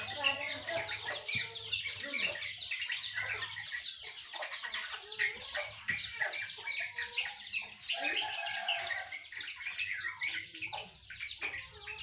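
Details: Sooty-headed bulbul, yellow-vented bulbul and white-eye singing together in the morning: a dense, overlapping chorus of quick high chirps, twitters and short whistled phrases, with a faint low hum early on.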